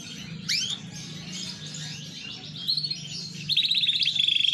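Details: Big-size green AFS canary with a rising sweep, soft warbled chirps, then a quick rattling trill of pulsed notes toward the end, over a constant low hum.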